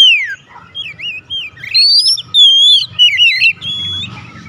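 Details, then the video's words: Kacer, the Oriental magpie-robin, in immediate 'nembak' song: a descending whistle opens a string of wavering, looping phrases, then bright sustained whistles and fast twisting notes over faint low background rumble. "kacer langsung nembak"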